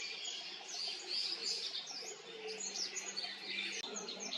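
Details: Olive-backed pipit singing during birding in Haenam: thin, high, rapid trilled and buzzy phrases running almost continuously, with a soft steady low hum beneath.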